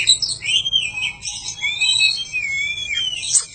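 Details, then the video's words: Oriental magpie-robin song from a bird-training recording. Loud, clear whistled phrases rise and fall, mixed with sharp high notes and a long wavering whistle in the middle. "Suara panjingan masteran burung kacer gacor"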